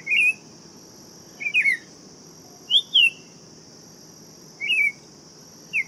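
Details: Buff-throated saltator giving clear, slurred whistles in short doubled bursts, spaced irregularly, set against a faint steady high tone.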